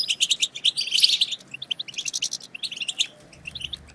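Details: European goldfinch; song; stimulating other goldfinches to sing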